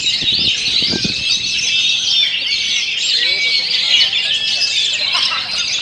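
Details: Oriental magpie-robin singing in the rapid rolling 'ngerol' style, said to hold up under strong wind: a dense, unbroken stream of high, fast twittering and chattering phrases throughout, with a few faint low thumps near the start.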